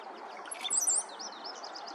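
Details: Cowbirds at Colony Farm in the morning: a burst of thin, very high squeaky whistles, followed by softer wavering chirps over a low hiss of background noise.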